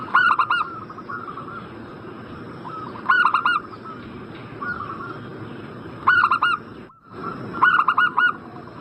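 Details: Perkutut, the zebra dove, calling to stir a bird in breeding condition into replying: short bursts of three or four quick soft coos, with a faint lower bubbling phrase between them, about every three seconds over constant hiss.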